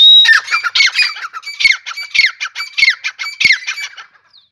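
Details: Grey francolin (teetar) calling in the morning: loud, harsh, squawking notes that slide downward, delivered in rapid repeated phrases, about seven in four seconds, ending abruptly, with no other clear sounds.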